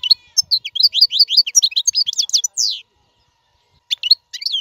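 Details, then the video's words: Goldfinch song for tutoring caged fledglings: rapid liquid twittering of high, slurred chirps in a continuous burst lasting nearly three seconds, then silence and a few more sharp twittered notes. "اقوى تغريد الحسون. لتعليم فراخ القفص"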